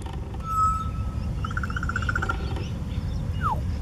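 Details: Australian magpie flock in the Brisbane bayside suburb of Lota, carolling: a long steady whistled note, then a quick run of pulsed fluting notes and a final falling slur, over a constant low traffic-like rumble.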